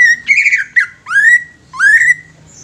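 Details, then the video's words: Young greater green leafbird, singing to stimulate newly caught leafbirds: three loud, rich whistles, each swooping upward and then holding steady, separated by brief pauses in a quiet setting. "CUCAK IJO MUDA INI COCOK UNTUK PANCINGAN CUCAK IJO BAKALAN"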